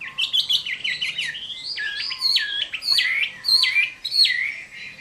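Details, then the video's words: Fighting song of a Chinese hwamei at summer midday: bright whistled phrases repeated in quick succession, each note swooping down then up, building in strength midway. "HỌA MI CHIẾN HÓT TRƯA HÈ"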